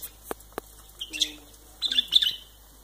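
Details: White-eared bulbul, also called white-cheeked bulbul, giving short bright chirping calls in two brief bursts, with a few sharp clicks before them and a faint low hum beneath.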